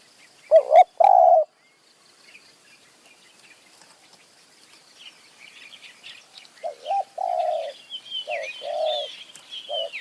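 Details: Wild spotted dove in high mountain forest, lured toward a decoy bird; loud doubled coos open the recording, then quiet twittering of small birds, and a later run of short and longer mellow coos.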